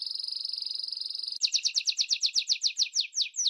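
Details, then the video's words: Canary holding a steady, vibrating high trill, then switching abruptly to a series of louder, separate sharp chirps repeated several times per second. "OS 3° MELHORES CANTOS DOS CANÁRIOS"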